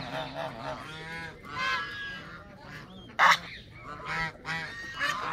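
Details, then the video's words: Several Canada geese calling with loud, nasal, two-part honks, one sharp blaring call standing out near the end amid the flock's chatter. "وز كندي"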